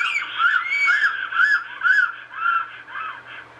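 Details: A Black stork pair at their nest in Estonia, heard through a webcam, gives a run of hoarse, arched whistling notes, about two per second, rising and falling in pitch, over a faint low hum.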